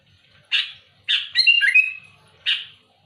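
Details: Sooty-headed bulbul singing loudly and actively to challenge rivals: short, harsh, scratchy bursts, with a longer buzzy, warbling phrase in the middle and a final rasping note, in a quiet setting.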